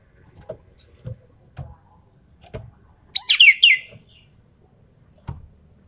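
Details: One brief burst of three harsh, falling, chattering notes from a Javan pied starling singing full tembakan, surrounded by scattered quiet taps and clicks.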